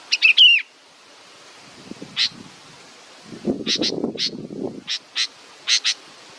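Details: Baby bird waiting for its mother: a quick cluster of high chirps with a slurred squeal at the start, then short, sharp high notes repeated at intervals, with low rustling and clatter in the middle.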